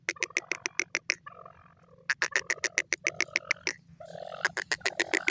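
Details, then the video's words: Grey francolin, called dakni teetar, giving rapid bursts of sharp, ringing notes, several per second, broken by short, lower nasal squawks; a steady low hum runs underneath throughout. "beautiful voice of dakni teetar lovely teeter ki awaz"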